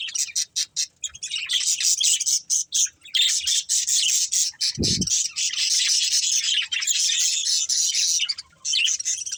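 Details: Budgerigar breeding pair making harsh, squawky, continuous chatter with fast pulsed notes, one short low thump partway through.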